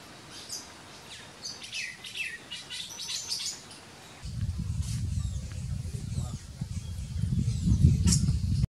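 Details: Golden-green woodpecker (Piculus chrysochloros) in the Paraguayan Pantanal: a few sharp, high chirping notes in the first half, then heavy low wind rumble covers the rest.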